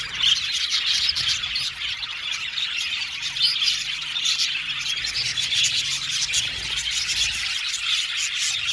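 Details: Colony of some seventy budgerigar pairs in an aviary, giving a steady, crowded chorus of shrill chirps, short squawks and twittering, loud throughout and never dropping out.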